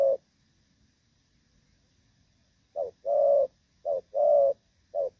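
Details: Moulting spotted dove with a "thổ pha" voice: after a pause, low coos in a short-long pattern repeated twice, ending on a short note.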